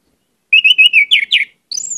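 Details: Orange-headed thrush singing: a run of clear whistled notes, then two quick dropping phrases and a short rising high whistle, in a quiet setting.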